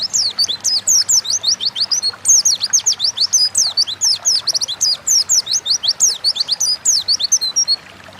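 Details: Oriental white-eye, a home-kept songbird in Indonesia, singing an almost unbroken stream of high, rapid, downslurred whistles, several notes per second, for nearly eight seconds before stopping.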